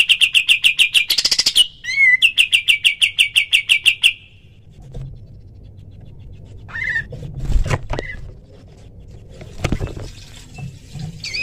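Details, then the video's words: White-shouldered triller, a training recording for other cage birds with clear, spaced calls: a fast run of sharp, even, high chattering notes for about four seconds, then quieter scattered calls over low background rumble. "masteran kapas tembak full tembakan suara asli dan jernih#berjeda cepat masuk k burung"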